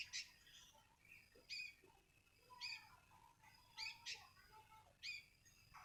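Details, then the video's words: One sooty-headed bulbul gives bright, sharp chirps in short bursts about every second, with softer lower notes between them over a quiet low background hum. "seekor burung kutilang"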